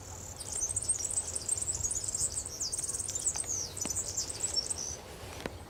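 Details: Wild European serin singing freely at Santo Tomás, Zamudio, Txorierri, Bizkaia, on 6 May 2018: a continuous, very high, rapid jingling twitter of buzzy, wiry notes running for several seconds over a faint low hum.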